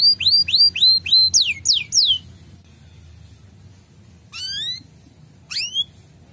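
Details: Male canary chirping to arouse breeding desire in young canaries: about eight loud sweeping notes in two seconds, a quiet gap, then two isolated rising chirps.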